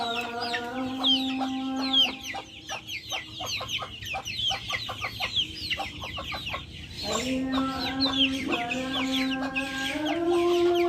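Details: Backyard chickens calling in long, steady, drawn-out tones that rise in two steps before stopping, resuming after a pause, with dense high chirping of small birds throughout.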